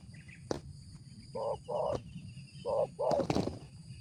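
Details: Spotted dove, a decoy bird with a 'ngeruk' style voice, gives four short, hoarse, blocky coo notes in two pairs over about two seconds. Sharp clicks and steady low background noise can also be heard.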